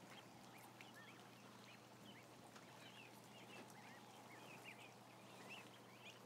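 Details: Ducklings, around 1,000 of them, peep in a busy overlapping chorus. Clear rising and falling chirps stand out above a low rumble and hum.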